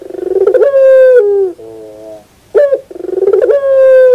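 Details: Morning cooing of a puter pelung dove: a stuttering burst swells into a drawn-out steady coo, then a soft low hum, and the phrase begins again.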